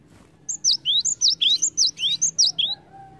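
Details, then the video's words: Cinereous tit lure song to prompt other birds to sing, a steady series of about four repeated three-note phrases, piercing and whistled, with a faint lower tone near the end. "PANCINGAN BUNYI GELATIK WATU"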